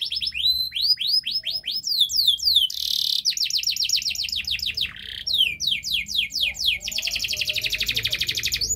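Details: Domestic canary singing a long, energetic master song meant to coax a quiet canary to sing; rapid series of upward-sweeping whistled notes, brief buzzy bursts, then a dense rattling trill, low hum in background.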